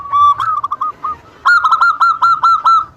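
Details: Local zebra dove singing to provoke rivals into answering: a few soft coos, then a bright, rapid rippling run of about ten clipped cooing notes.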